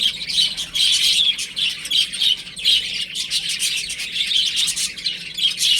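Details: Many young chicks playing at home, cheeping loudly and continuously in sharp, high notes, individual peeps repeated rapidly within the dense chorus.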